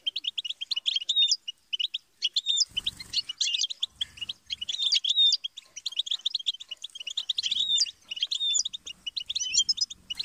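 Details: European goldfinch in a long, continuous twittering song meant for motivating songbirds to sing: quick liquid chirps, buzzy trills and occasional rising whistles repeated in dense phrases, with a dull knock early on and soft low rumbles.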